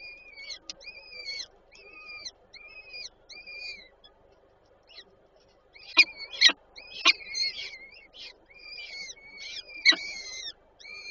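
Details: Peregrine falcon young at a Warsaw Żerań nest on 8 May 2023 during feeding by the female: spaced thin squealing calls, then loud clicking taps mixed with renewed whining cries.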